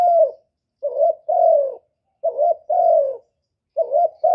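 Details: Close spotted dove calling. A short first note is followed by a longer, throaty coo that sags in pitch, repeated three times at intervals of about a second and a half against silence.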